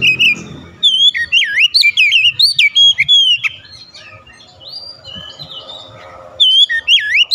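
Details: Kacer, the Oriental magpie-robin, pouring out rival song to make an opponent emotional: strong swooping whistles and sharp high chips in a long run, then a softer stretch of thin notes before the loud phrases return.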